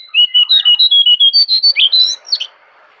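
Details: Jongkangan singing vigorously in the forest at Kintamani, Bali: a fast run of bright, clear whistled notes, about a dozen in quick succession, some level and some rising, ending in a few sharper upslurred notes.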